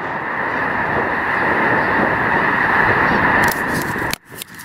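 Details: Massive Snow Goose flock at Loess Bluffs National Wildlife Refuge on 21 February 2020; steady wall of overlapping honks for about four seconds, then an abrupt cut to quieter sound with a few clicks.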